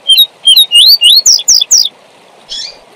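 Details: Double-collared seedeater singing the tui tui zel zel style meant for teaching young birds: about seven sharp, rising whistled notes in quick succession, ending with a softer buzzy note, over a faint steady hiss.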